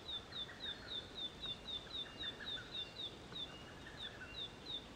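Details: A male Narcissus flycatcher at its breeding site, 25 May 2013, amid a territorial dispute between two males giving threat calls and later song: a fast, steady run of thin, high downslurred notes, three or four per second; faint hiss.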